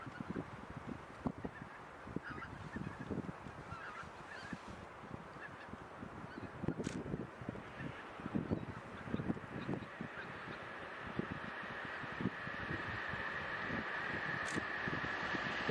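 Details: Thousands of undisturbed geese, mostly Greater White-fronted with Tundra Bean, Egyptian, Barnacle and a single Pink-footed Goose, grazing in a polder on 26 January 2017; rapid, irregular honking throughout, with a steady high hum rising toward the end.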